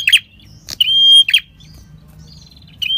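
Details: A prinia, locally called red-headed prenjak, sings lure song of high, thin notes: buzzy chips around a sustained, steady whistle, then a short phrase starting again after a pause, over a faint low hum.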